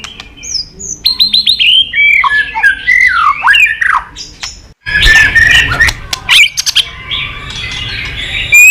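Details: White-rumped shama singing vigorously with a very full repertoire of mimicked phrases, meant to provoke other shamas to sing: a varied jumble of whistled slurs, rising and falling sweeps and harsh chattering notes, with a brief pause near the middle.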